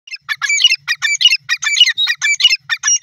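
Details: Grey francolin calling, a loud harsh rhythmic series of squeaky, chattering notes repeated rapidly, roughly one and a half phrases per second, continuing through the whole stretch with no other sounds.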